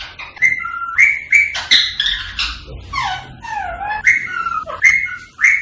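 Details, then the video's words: Rose-ringed parakeet whistling and calling to stimulate singing and mating in other birds: repeated short level whistles, interrupted by sharp clicks and a cluster of downward-sweeping calls in the middle. "تعليم ببغاء الدرة التغريد والغناء والتصفير والطقطقة للتحفيز على التغريد والتزاوج الدرة الهندي"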